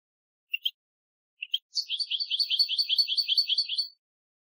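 A European goldfinch gives two pairs of short high chips, then a quick run of about twenty bright, tinkling, liquid notes lasting two seconds.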